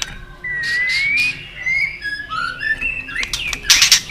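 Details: White-rumped shama fighting song in long forest voice, used to excite another shama. A long, slowly rising pure whistle opens, followed by short flat whistled notes, then a burst of high chattering near the end.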